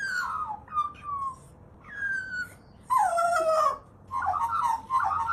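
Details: Crow mimicking a dog's voice; drawn-out whining, falling yelps, then a louder harsh wavering cry and a short burst of rough barking notes, with steady low background noise.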